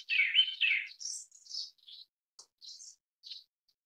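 A Grey-backed Thrush gives two loud, slurred fluty notes, then a quick run of thin, high twittering notes that fade away. No other sounds are heard.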